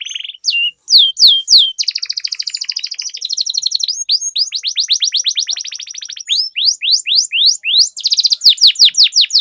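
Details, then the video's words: Canary lure song featuring a long roll, used to get other canaries singing: quick whistled notes open into a sustained, rapidly pulsing trill lasting several seconds, then fast sweeping chirps. "Suara Pancingan Burung Kenari Agar Cepat Gacor dan Ngerol, Masteran Suara Kenari Ngeroll Panjang"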